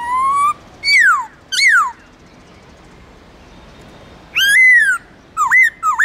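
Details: Wild-voice song from a Central Highlands white-cheeked laughingthrush, aimed at getting caged kin to sing: an upslurred whistle and two falling slurs, then after a pause a sweeping downward note and quick curled whistles.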